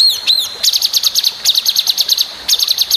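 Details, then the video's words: Long-tailed shrike master song with sharp variation: two looping whistles, then a very fast, evenly repeated high chipping trill, briefly interrupted and resumed. "masteran srdc full variasi tajam"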